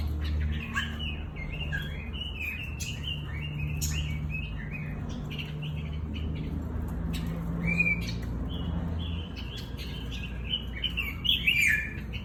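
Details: Pekin robin giving a loose series of short whistled and warbled notes mixed with dry clicks and chips, spaced irregularly across the stretch, over a strong low droning hum.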